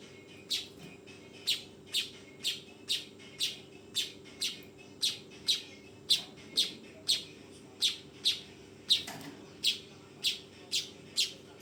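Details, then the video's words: Weaver fledgling repeating a short, harsh chirp about twenty times in a steady, fairly quick series of nearly even notes, a faint hum running throughout. "SUARA BURUNG MANYAR TROTOLAN"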